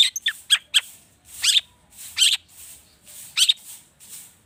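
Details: Long-tailed shrike in agitated mimicry song, intended to prompt other birds to sing: a few quick sharp notes, then spaced scratchy, chattering phrases roughly every second.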